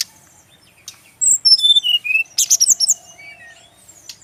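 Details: Brief burst of song from a kept male Brown-chested jungle flycatcher, Bali region: after a second of quiet, a descending series of clear whistles, sharp chirps and a few lower notes, then fading.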